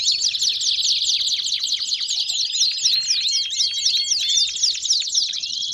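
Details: Belgian canaries singing: a dense, continuous run of rapid high trills and down-slurred notes, about four per second, with a few steady whistled tones in the middle; no other sounds.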